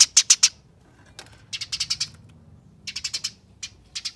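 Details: Eurasian tree sparrow chattering as in a fight, used as a lure for other sparrows: loud sharp chips in a quick trio, then two rapid harsh bursts and a couple of single scratchy notes.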